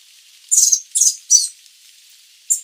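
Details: Sooty babbler, Stachyris herberti, giving three loud, rapid, high-pitched buzzy chatter notes in quick succession, then a brief final chip, with a clean, quiet background.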